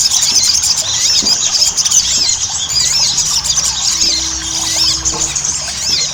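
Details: Lure song of the Ruby-cheeked sunbird meant to make birds sing readily; high, thin, squeaky notes tumble in a steady, crowded twitter, with a faint low hum near the end.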